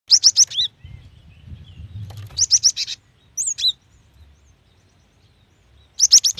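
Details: Female cinereous tit calling a male, used to prompt wild-caught birds into calling: quick bursts of three or four high, sharp chirps, a falling slurred note, a lone twisting whistle, then another rapid burst after a pause.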